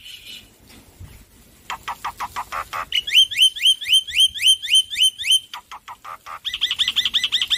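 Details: Male black-winged myna, loud prolific singer, recorded as training audio for stressed birds: a rapid series of repeated rising-falling whistled notes, about four per second, then a fast run of sharp chirps and a buzzy finish.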